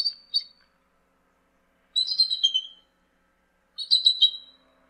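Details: High-pitched squeaky chitters from a bald eagle (Haliaeetus leucocephalus), three short bursts spaced about two seconds apart, each a quick stuttering cluster of thin notes, with silence between.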